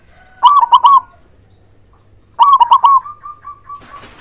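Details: Zebra dove, a local bird with a big voice, cooing to provoke silent doves into song: two loud rolling, stuttering coo phrases, the second trailing into a long steady hum, ending with a burst of noise.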